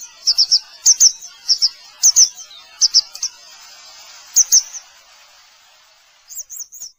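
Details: Grey wagtail calling repeatedly with paired and tripled high, sharp chirps roughly every second, followed by a fainter trio of notes after a brief lull.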